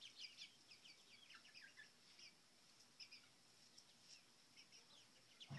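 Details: Chickens seven weeks old at the coop during a mealworm and cricket treat feed; quiet high chirps in scattered bursts, thinning out toward the end, with a low thump at the close.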